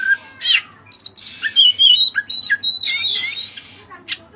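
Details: White-breasted Oriental magpie-robin (kacer dada putih), singing vigorously in a Cililin-filled style. A dense burst of varied high chirps, squeaky whistles and sliding notes comes in quick succession, with short loud phrases crowding together and no other clear sounds.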